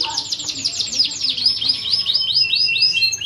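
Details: Training song of a fighting canary, opening with a dense burst of fast swept notes that relaxes into slower, clearer arching whistles.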